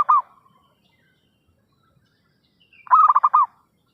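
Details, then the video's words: Zebra dove lure call used for trapping: a brief cut-off coo at the start, then after a silent pause one full phrase of rapid, pulsed, mellow cooing notes lasting about half a second. "suara pikat perkutut gacorr....!!"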